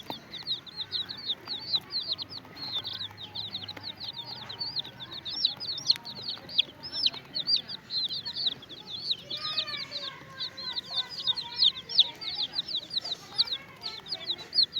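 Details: Many chicks with a hen chirp continuously, dense high piping peeps repeated rapidly throughout, with a few lower clucking notes from the hen near the end.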